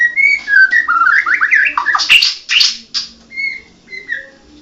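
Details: Mottled (blorok) white-rumped shama of the Medan type singing a rising series of bright slurred whistles, then a harsh noisy burst, ending with spaced, softer drawn-out whistled notes that fade.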